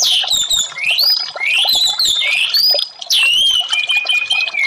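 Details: Orange-headed thrush song, played as therapy to get silent caged birds singing: loud, clear whistled phrases sliding up and down, some rising into long bright notes, over a busy background of fainter chirps.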